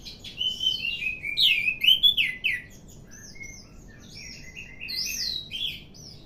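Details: Orange-headed thrush, described as growing more vocal day by day, singing rich whistled phrases that rise and fall, with a loud slurred run early on, then softer high notes and sweeping whistles.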